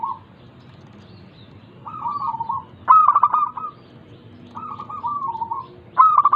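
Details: ['Local zebra dove cooing, played to coax lazy doves into song: quieter rolling coos alternate with sharp clipped pulse bursts that flow into a sustained note, about two full cycles over a quiet background.']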